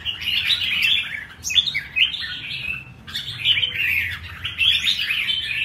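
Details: Caged red-whiskered bulbul in performance-style song, delivering rich, rolling warbled phrases in bursts separated by brief pauses, with short upward-sweeping notes between phrases.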